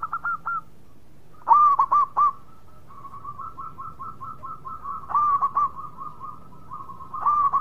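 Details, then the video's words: Actively singing local zebra dove from Indonesia: a loud group of four throaty coos, then a long run of fast, soft stuttering notes, and further coo bursts toward the end. "Perkutut Lokal Gacor Suara Mewah"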